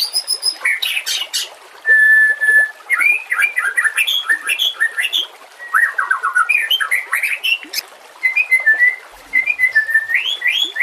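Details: White-rumped shama song used to train other shamas: lively, varied whistled phrases, upward slurs and quick trills, with a brief flat whistle and faint high chips between bursts.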